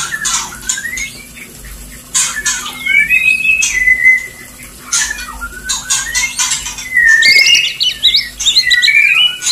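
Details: White-rumped shama male courting a female: bursts of sliding whistles, some held as clear steady tones, mixed with sharp clicks and chattering notes, separated by short pauses.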